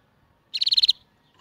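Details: Canary song for teaching young birds and stimulating males and females to mate: a single fast trill of about seven sharp, high chirping notes lasting under half a second, otherwise quiet.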